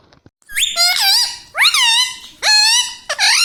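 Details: Pet ringneck parrot talking, repeating "Mitthu" and "Mami": three drawn-out, nasal, harmonic-rich words with rising then wavering pitch, each about a second long, plus a short fourth burst at the end.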